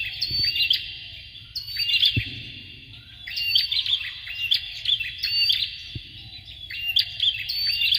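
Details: Male and female Bar-winged prinia used as tutor birds for training future champion songbirds; loud, high, rattling chirp phrases in rapid clusters roughly every second, with occasional low knocks.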